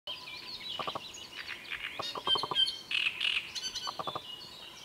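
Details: Great reed warbler song: harsh, chattering phrases of rapid repeated notes, with broken strings of low clicks and louder grating bursts and thin high whistled notes, about 3 repeats a second, steady background hiss.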